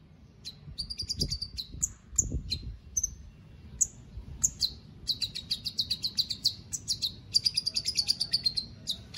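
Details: White-rumped shama, a caged contest bird from Palu in Central Sulawesi, gives scattered high whistles that build into dense runs of quick, ringing repeated notes, with soft low knocks in the background.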